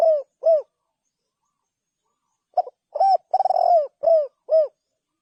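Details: Spotted dove calls, opening with the last two falling coos of one phrase, then after a pause a full sequence of lead note, rippling trilled coo and two drooping notes.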